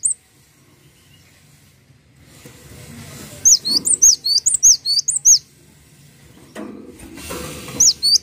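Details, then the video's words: Cinereous tit (gelatik watu) singing steadily for a tutor recording: one sustained burst of about eight high, sharp, repeated whistles midway, with single notes at the start and end over low background rumble. "MASTERAN BURUNG GELATIK WATU GACOR"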